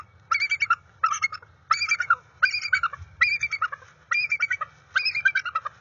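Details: Female bald eagle of the resident pair at the NCTC nest, January 30, 2021, giving her routine chant to initiate mating. Seven loud bursts of rapid, harsh chattering notes come in a steady series, each about half a second long, with a low rumble beneath.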